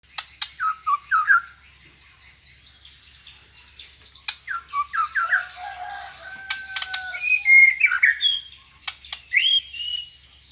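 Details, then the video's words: Magpie-robin singing varied whistled phrases: short rising and falling notes in bursts, then longer pure sustained whistles and quick slurred trills, with sharp clicks scattered through. "Suara Burung Murai ku"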